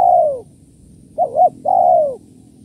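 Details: Spotted dove kuk 1-2 call for luring doves: the end of a long descending coo, then a fresh phrase of two quick humped notes and a sustained, softly sliding coo.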